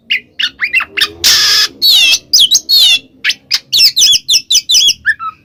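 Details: Loud ngeplong song of an Oriental magpie-robin, intended as a lure for a non-singing bird: crisp whistled notes separated by short gaps, a long harsh hiss, wavering trills, then chirps.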